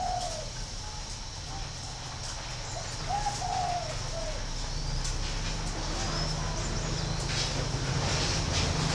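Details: Spotted dove kept at a bird-breeding aviary in Ba Vì, Hanoi, northern Vietnam, giving soft, low coos: a short note, then a pair of mellow notes a few seconds later, against a steady low mechanical hum.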